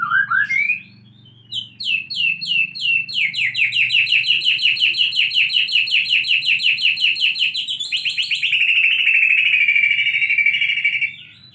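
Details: White-rumped shama in captivity, post tail growth, copying canary song: a rising whistle, then a long rolling trill of rapid chopped notes repeated steadily for about nine seconds, shifting into a buzzier sustained roll before stopping.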